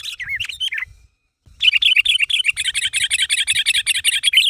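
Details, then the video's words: Sooty-headed bulbul calling others to make them respond, used as a lure: a few slurred whistled notes, a pause, then a long dense series of rapid bubbly chirps with soft low thumps beneath. "Suara Burung Kutilang Gacor Memanggil Temannya Agar Bunyi"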